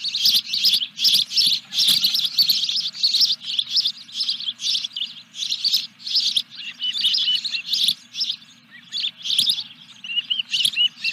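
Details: Osprey at a nest at Dunrovin Ranch on 14 July 2021, during the third fish delivery, giving rapid high chirps in dense bursts that repeat almost without pause for eleven seconds, with a faint low hum underneath.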